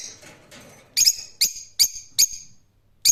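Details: Rose-ringed parakeet uttering sharp, grating screeches roughly every half second after a softer, muffled start, with a final call after a brief pause.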